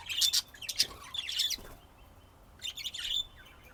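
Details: Budgies in Texas, USA, 2025: a quick cluster of sharp, buzzy chirps, a brief lull, then a renewed burst of scratchy chatter near the end.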